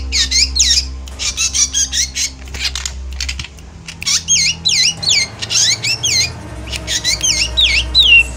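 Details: Emotional chattering song of a Javan black drongo, used as bait for birds in moult: bursts of squeaky looping whistles and harsh scratches, a quieter gap near three to four seconds, then more curling whistles, with low droning hum.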